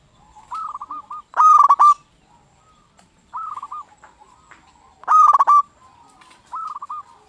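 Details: Local zebra dove serving as a lure to set off singing in other zebra doves; quieter rolling coo phrases alternate with two loud, clipped bursts of quick staccato notes about four seconds apart.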